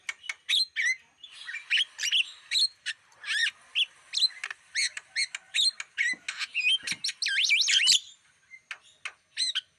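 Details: Lure recording of a Black-winged starling for drawing in wild birds: a rapid series of clipped whistles and chirps, some notes sliding down, with a wavering, looping whistled phrase near the end.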